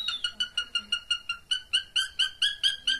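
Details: Cockatiel mating call: a steady series of short, clipped whistled notes, about five per second, slightly rising in loudness toward the end.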